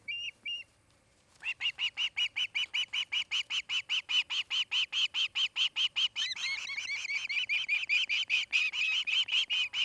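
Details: At a Charlo, Montana nest, one of a mated osprey pair gives a brief double chirp, a pause, then a long rapid run of piercing whistled yelps; a second overlapping voice joins midway, making the series denser and more ragged.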